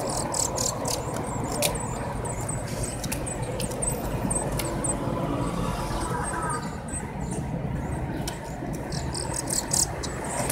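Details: Eurasian blue tit nestlings 7-9 days old begging at feeding time. High, piping squeaks repeat in short bursts, broken by many sharp clicks and rustles, with a steady low hum beneath.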